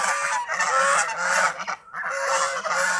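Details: Kept geese enjoying the fields around a house, a flock calling together in continuous nasal honks with layered harmonics, two bursts split by a short pause near the middle.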